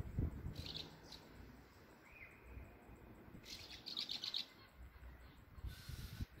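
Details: Swallows in Bulgaria, many fluttering around a single nest with chicks; short high chirps come in brief bursts, a pair early and a quick run of four in the middle, over a quiet background with soft low rumbling.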